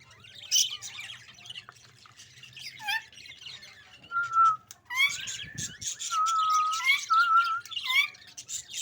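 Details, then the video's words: Budgerigar chirping: scattered sharp chirps and squawks, then a lively burst of warbled chatter with short clear whistled notes and rapid twittering, loudest in the second half over a faint low hum. "parrot budgie chirping sound"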